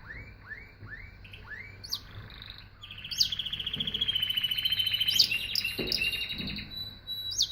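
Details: Belgian canary (Serinus canaria domestica) song: a run of quick rising chirps, then a long, bright trill rolling on for several seconds with a few sharp notes over a low background hum.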